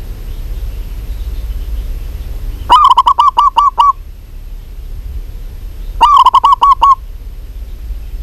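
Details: A local zebra dove, described as a vigorous caller, gives two separate phrases of about six quick, evenly spaced soft coos each. The phrases are a few seconds apart, over faint low background noise.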